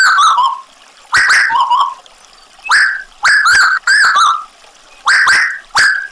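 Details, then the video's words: Tuwu bird heard over added trickling water. Short, bright whistled phrases start high, then waver downward, repeated several times within a few seconds with brief silences between. "Tuwu Gacor Audio - Tembakan Lampiran Burung Tuwu Gacor Sadis"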